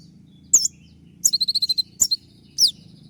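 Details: Konin, a kept songbird in moult used as a training master, giving sharp high chips then a quick run of seven evenly spaced piping notes and a downslurred whistle.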